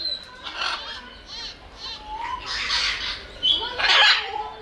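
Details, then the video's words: Strong-voiced South American macaw calling in short, coarse, screeching bursts, a few louder harsh squawks toward the end, with softer murmuring sounds between. "Macaw Ara Papağanı Sesi Ötüşü"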